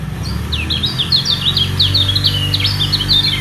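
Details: White-eye pouring out song while defending its position against rivals below: a continuous chain of quick, high, down-slurred chirping notes over a steady low hum of background noise.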